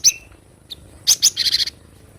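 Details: Cinereous tit (glatik batu) recorded in the wild as a tutor song: thin high chirps, a short pause, then two sharp upslurred notes followed by a rapid buzzy, chattering burst of about five harsh syllables.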